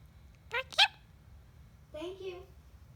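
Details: Talking pet bird repeating "thank you": a clipped two-part burst followed by a longer, buzzy, tonal syllable that rises slightly, heard in a quiet room with faint low hum.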